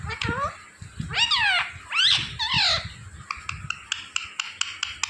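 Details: Pet parrot indoors making a run of sliding, squawky talking-like sounds, followed by a string of short sharp clicking or tapping notes.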